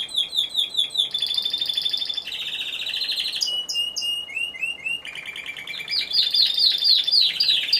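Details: Timbrado Español canary singing at a November 2015 competition show, category C2 individual: a sequence of shifting tours, fast rattling trills, a steady metallic roll, clipped whistled notes and bright high trills, each phrase changing every second or two.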